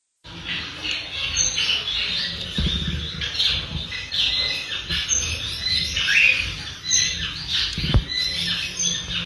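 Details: Several blue star finches chatter steadily with thin chirps and tinny twitters overlapping throughout, with a few soft knocks in the background.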